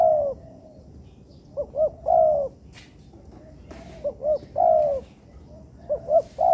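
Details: Spotted dove (tekukur) used as training material in an artificial yard: three phrases of quick paired rising notes, each followed by a long, steady, slightly falling coo, with pauses of about a second between phrases.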